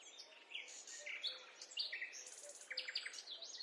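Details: Several forest birds sing during a peaceful walk, with a busy overlapping mix of high chirps, short whistles and buzzy trills that follow each other without pause. The birds sound moderately distant against a soft background hiss.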